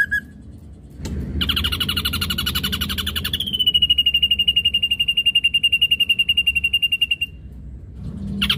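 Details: Ashy drongo in vigorous song with mimicked phrases, meant to lure: a single short note, a rasping, buzzy pulsed passage, then a long, steady, rapid trill of high, clipped notes lasting about four seconds.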